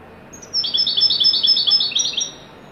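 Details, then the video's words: European goldfinch singing a rapid, liquid twittering phrase of high tinkling notes lasting under two seconds, clean and close. "تغريد حسون ويداني"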